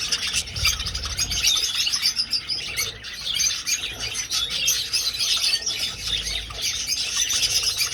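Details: Flock of budgerigars flying in an old aviary: nonstop high twittering and warbling from many birds, with the odd sharp squeak standing out over the chorus.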